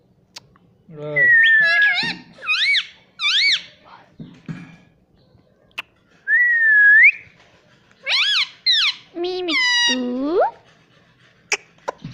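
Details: Ring-necked parrot kept as a pet runs through a varied series of bent whistles, squeaky chirps and a long upslurred whistle, with falling squawks and scattered clicks, over a low hum.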